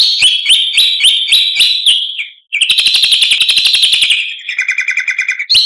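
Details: Long-tailed shrike song, with trickling water in the pauses between sets: loud, harsh chattering notes about four a second, then a fast buzzy series and a quick rattling trill, all high-pitched.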